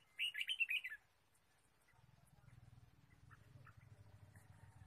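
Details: Red-whiskered bulbul in wild forest while bird trapping, March 2017: a brief burst of five quick whistled chirps, then a steady low mechanical hum with faint distant notes.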